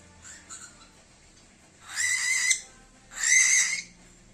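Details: An angry cockatiel gives two harsh, screechy calls, each lasting about half a second.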